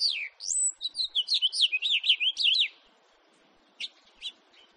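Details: House finch in 2018 singing a quick bubbling warble of slurred notes for over two seconds, then falling quiet apart from two short chips.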